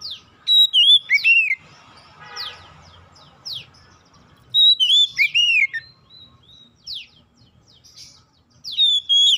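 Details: Oriental magpie-robin song for prompting other magpie-robins to sing: three spaced phrases of clear whistles, slurred arcs and abrupt downward notes, separated by quieter pauses.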